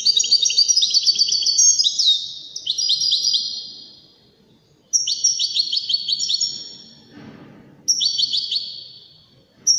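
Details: European goldfinch singing in the Widani song style: bright, tinkling twittered phrases with quick high trills, delivered in bursts of about two seconds separated by short quiet gaps, against an otherwise quiet background.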